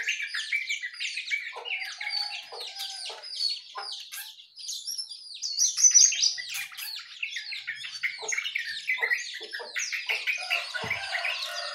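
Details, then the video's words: Jongkangan, yellow-vented bulbul and white-eye singing in the morning: a busy stream of high, thin twitters and rapid chirps from many birds at once, briefly louder mid-way, with scattered short lower calls. "Suara Burung Jongkangan, Terucukan , Pleci di pagi hari"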